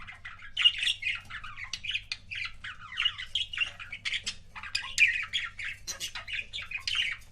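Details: Budgerigar couple kept as pets keeps up continuous warbling chatter, a steady stream of squeaky chirps and scratchy notes with no real pause.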